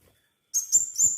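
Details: High, sharp chirps from a crimson sunbird in full voice, used as a lure: three quick piercing notes in half a second after a short silence, each with a slight upward flick.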